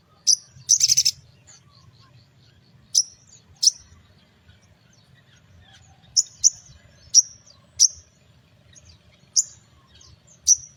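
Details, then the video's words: Sogon pastol singing in the morning, used to lure small birds: short sharp high whistled notes scattered across the clip, with a brief buzzy burst near the start and quiet background. "Sogon Pastol Gacor di Pagi Hari Untuk Pancingan Suara Pikat Burung Kecil Agar Emosi Nyaut Bunyi"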